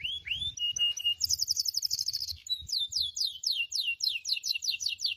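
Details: Canary song for training other canaries: a few rising whistles and a flat tone, a high buzzy trill, then a long run of quick falling whistled sweeps, over faint low hum.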